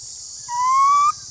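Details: Black-throated laughingthrush dueling in song with another laughingthrush: one sustained, pure whistle, gently rising and lasting about half a second, set against a constant high hiss and low hum.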